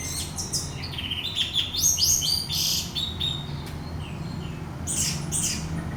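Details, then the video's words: An orange-headed thrush singing loudly to provoke a rival into teler song: dense, loud, fast string of high chirps and slurs, then a gap and two harsh bursts, over a low rumbling hum. "pancingan anis merah bunyi lanjut teler"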